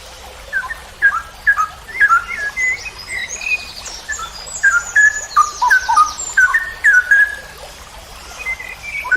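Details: Straw-headed bulbul song in the long 'ropel' style, used as a master for training birds: a steady stream of fluty, bubbling whistled phrases, each slurring up and down, with soft high chattering from other birds behind.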